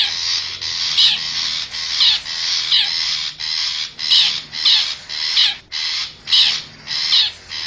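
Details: Wild forest long-tailed shrike used as a lure to draw wild birds: continuous harsh, scratchy chatter pulsing in roughly half-second bursts, with short dips between notes.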